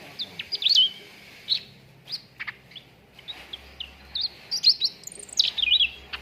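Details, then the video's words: Cucak ranting song for training contest birds: lively, piercing chirps and zigzag whistles, sparse at first, then denser runs of twittering notes toward the end. "PANCINGAN CUCAK RANTING BAHAN AGAR CEPAT GACOR"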